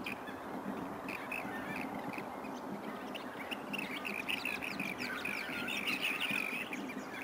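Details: Flock of rainbow bee-eaters feeding on bees at Byron Bay, New South Wales, Australia, August, before the breeding season; a dense run of quick, rolling trilled calls building toward the end, with constant background noise.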